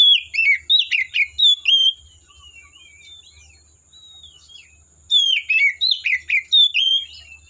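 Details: Oriental magpie-robin singing in the wild forest: two energetic bursts of rapid, varied whistles and slurred notes, roughly four per second, separated by a softer stretch of quiet twittering; a steady faint high tone persists.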